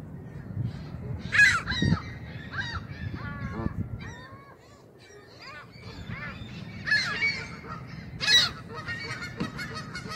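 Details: Canada geese seemingly irritated by a camera pointed at them, giving scattered nasal honks and short rising yelps, some louder bursts near the start and again later, with quieter gaps and a low background rumble between calls.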